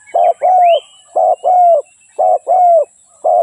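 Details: Low, rounded coos of a spotted dove in short-long pairs, evenly spaced. Another bird gives a brief rising whistle early on.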